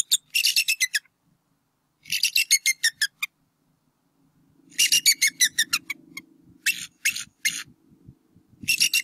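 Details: Bald eagle pair at a nest on Berry College campus, NW Georgia, 8 April 2018, the male chasing an intruder off while the eaglet lies flat; loud series of rapid, staccato chattering notes in repeated bursts, over a faint low drone.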